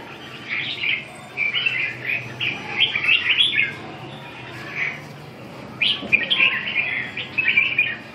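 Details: Red-whiskered bulbul delivering lively, warbling song phrases in two main bursts separated by a short quiet gap, clear over soft background noise.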